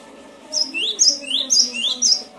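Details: Cinereous tit (gelatik batu) singing, from a training recording for lazy-singing birds: a rhythmic run of four paired phrases, each a piercing high note dropping into a rising whistle, about two per second.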